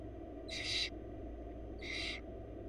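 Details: Wild barn owl chicks in a nest box in Florida being fed by their mother: two harsh, hissing screeches about a second apart, broadband and raspy, over a steady low hum.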